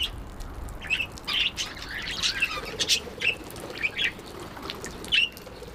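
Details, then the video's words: Happy budgerigar chirping steadily: a run of short, sharp, high squeaky notes and warbled chatter, repeated about every half second, over a faint low hum. "Happy Budgie🥰 chirping"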